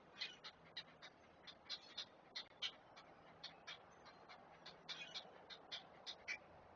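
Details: Great blue heron chicks being fed, picked up by a live nest camera at Chesapeake: sharp, chattering clicks in uneven clusters, some doubled, over quiet background hiss.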